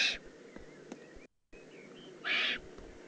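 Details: Eifel recording of a juvenile Eurasian eagle-owl, 18 June 2016, with two short, harsh hissing screeches separated by a brief silent gap and low hum between them.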